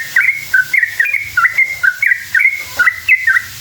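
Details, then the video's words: Sooty-headed bulbul song used as a lure to make other bulbuls answer: a fast run of short, clear whistled notes, each slurring up or down, in a long continuous chattering phrase over a low steady hum. "Trucukan gacor ropel panjang buat PANCINGAN trucuk agar bunyi jadikan burung trucuk NYAUT EMOSI"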